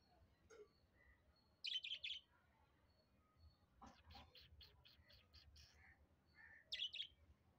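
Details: A pet budgerigar chirping, described as its way of saying hello: short bursts of high, bright chirps at about two and seven seconds, with softer chattering notes in between and a low background hum.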